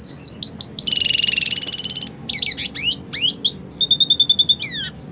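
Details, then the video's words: Red siskin × canary hybrid, used as a master song for songbirds, sings a bright, fast canary-like song of high twittering notes, a rapid buzzy trill, then quick whistled sweeps and chattering phrases. "red siskin silang kenari"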